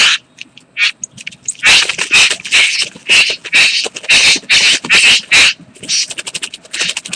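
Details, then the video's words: Mating bowerbird, karawarra, recorded 8 January 2014, gives rapid, grating churrs: dense harsh bursts of rasping noise repeated more than twice a second, ending in a quick crackling rattle. "karawarra bowerbird 2014-01-08 mating"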